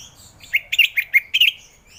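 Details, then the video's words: Orange-headed thrush singing a rapid series of five short, harsh chirping notes about a quarter second apart, meant to prompt lazy thrushes to sing in the morning. "Kicauan Anis Merah || Ngeplong Santai"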